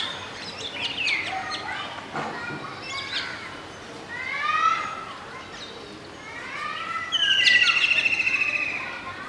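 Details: Singing adult male Indian golden oriole at Masab Tank, Hyderabad, watched from a window alongside a juvenile and two females: a series of mellow downslurred whistles at varying pitches, ending in a loud, fast buzzy trill.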